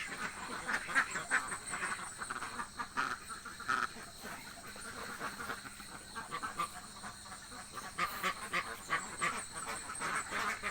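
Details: Hungry village ducks quack in irregular bursts, sparser than a full chorus, with short harsh calls rising and fading over about ten seconds.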